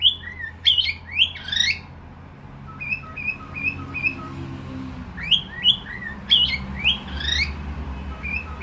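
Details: Cockatiel giving harsh rising squawk-whistles in quick succession, then a row of short flat whistled notes; the pattern of sweeping squawks and clipped whistles repeats, with a low hum underneath.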